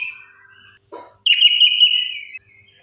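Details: Orange-headed thrush lure song for silent birds: one sustained, slightly wavering whistled phrase lasting about a second, preceded by soft whistles and a brief rustle.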